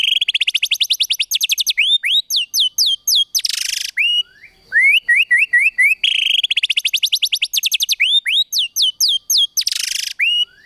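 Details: White-rumped shama delivering kretekan tembakan, a song style meant to provoke emotion: very rapid, loud rattling trills of high clipped notes, harsh buzzy bursts and quick rising whistles, the sequence repeated twice.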